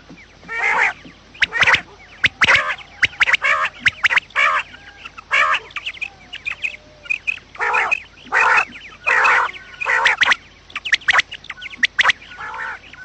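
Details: Quail calls meant to lure and trap quails, said to be from morning: a busy stream of rough, buzzy bursts and sharp clicks at irregular intervals, with faint high chirps between.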